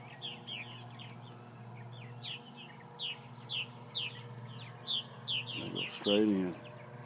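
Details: Purple martins after hawk attacks give spaced, short chirping notes about every half second, several birds; near the end a man's voice is heard briefly, with a low hum throughout.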